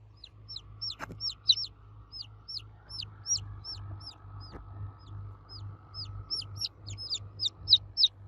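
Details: Chicks cheeping for their mother hen, many rapid high downslurred peeps from several birds, with a couple of sharp knocks and a low hum and faint rumble beneath.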